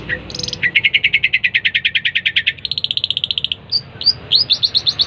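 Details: Long-tailed shrike in lively song: a fast, even series of harsh chattering notes, shifting higher partway through, ending in sharp rising chips, over a steady low background hum.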